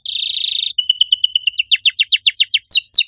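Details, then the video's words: Canary singing loudly in an unusual style: a brief harsh buzzy rattle, a row of short level pips, then steeply descending whistled sweeps repeated about four times a second. "Kenari gacor suara nyaring cengkok unik"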